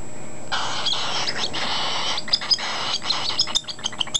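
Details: An unweaned, almost six-week-old male cockatiel chick, hungry during hand-feeding, gives harsh, rasping begging calls, then short high squeaky chirps like a squeak toy.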